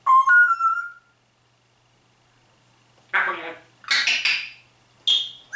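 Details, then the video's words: A pet grey parrot that talks and sings, including greetings and a pop song: it opens with a clear, slightly rising whistled phrase, then after a pause gives three short bursts of raspy, speech-like chatter. "GrauPapagei Rudi spricht und singt"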